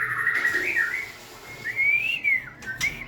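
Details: White-rumped shama, shown dancing and wagging its tail, giving smooth, slurred whistles that rise and fall, with a long gliding note in the second half.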